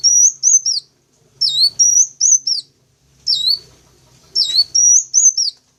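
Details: Sunbird calls played to draw in wild birds: bright, high-pitched chirps dipping and rising, in tight pairs and triplets separated by pauses of about a second, with a very faint low hum underneath.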